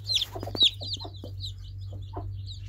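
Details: Loud, high falling peeps from baby chicks open the moment, followed by softer overlapping chirps and several low knocking sounds over a faint hum.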